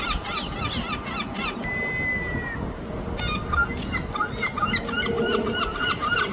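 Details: Gulls calling in London, bursts of rapid, nasal, harmonic yelps, with a steady whistled note partway through and continuous low background noise.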